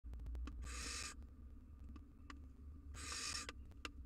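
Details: Wild barn owls at a monitored nest box, a mother forcing her fledgling out of the nest: two harsh, hissing screeches about two seconds apart over low rumbling background noise and scattered clicks and taps.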